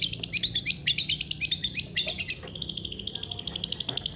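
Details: Long-tailed shrike song used to encourage a lazy shrike to sing: a rapid, twisting warble of mixed high notes, shifting midway into a quick, steady rattle of sharp repeated strokes.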